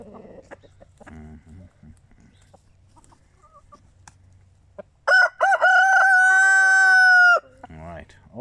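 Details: A rooster in a surplus flock, awaiting rehoming and fitted with an anti-crowing collar, gives one loud, drawn-out crow lasting over two seconds after soft clucking, then a brief low cluck.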